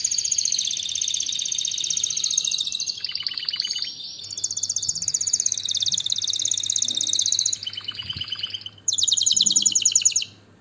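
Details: Canary singing a sequence of distinct trills, each at a different pitch and speed, some buzzy and some clear, ending abruptly after a bright high rattle.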